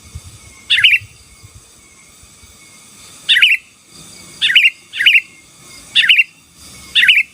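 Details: Sooty-headed bulbul singing in lively 'gacor' style, meant to dominate rival birds: short bubbly chirping phrases, liquid notes tumbling downward, given irregularly about six times with pauses between, over a faint steady high tone.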